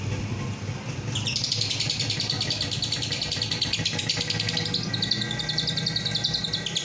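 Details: Lovebird in Roroh style giving long ngekek, played as masteran to urge other lovebirds to sing long with short pauses; after a second, a sustained fast high trill of tightly repeated notes continues to the end over low hum.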